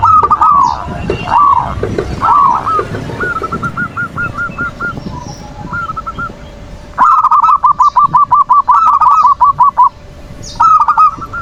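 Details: Zebra dove (perkutut) manggung to provoke rivals and birds lazy to sing; bubbling coo phrases, then a string of quick clipped notes, then a loud rapid rattling trill of coos, with brief high chirps of small birds.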